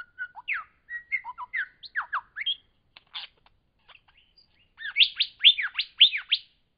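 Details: Lyrebird song in Cape Liptrap Coastal Park, a varied run of whistled slurs and sharp clicks, then a fast series of loud swooping whistles in the final two seconds.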